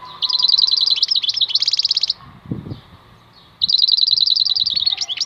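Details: European goldfinch singing in the wild khalwi song style: bright, high, fast-trilled phrases with rapid repeated notes, a short pause with a low thump, then another long trilled phrase.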